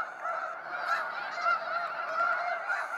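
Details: Snow geese in a dense flock at sunset fly-out, Sacramento National Wildlife Refuge; a continuous chorus of many overlapping nasal honks and yelps blending into a steady roar.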